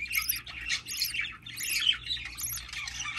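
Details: Newly hatching budgerigar chick giving a dense, continuous run of shrill, rasping squawks, each lasting a fraction of a second and overlapping with the next, over a faint low hum.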